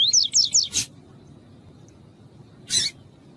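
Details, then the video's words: Female double-collared seedeater (coleiro tui-tui) calling intensely to stimulate a male, used as a warm-up recording for tournament birds. Three quick, high, rising chirped notes open, followed by two sharp broadband knocks against a quiet background. "COLEIRO TUÍ-TUÍ COM FÊMEA PIANDO MUITO PARA ESQUENTAR COLEIRO FRIO"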